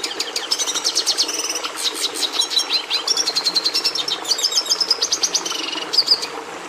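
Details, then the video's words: Red siskin (Carduelis cucullata) singing: a fast, high, twittering song of rapid repeated notes, buzzy trills and short whistled phrases running continuously, with a faint steady hum underneath. "Canto do Tarim da Venezuela"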